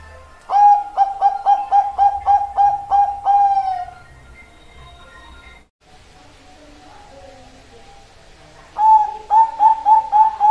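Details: Bangkok perkutut zebra dove: a quick string of about ten crisp, even coo notes ending in a longer slurred note, then a stretch of low background noise and faint sounds, before the cooing rhythm resumes.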